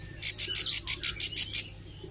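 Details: Plain Prinia, a young bird learning to sing and practising its rapid 'nembak' bursts: a short run of about nine buzzy, high chipping notes, evenly spaced, fading at the end.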